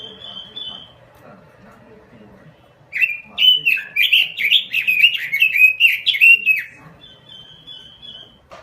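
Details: Robin lure song from Indonesia, a full, non-stop singing recording used as a master for training birds: after a faint steady high whistle, a fast burst of warbled, rising and falling whistled phrases runs for about four seconds, then a thin whistle returns.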